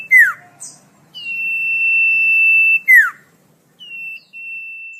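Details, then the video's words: Common iora singing, recorded for tutoring caged songbirds: a quick falling slur, a long level whistle, another falling slur, then two shorter, clipped whistles on the same pitch. "Suara merdu burung cipoh/sirtu/sirfu"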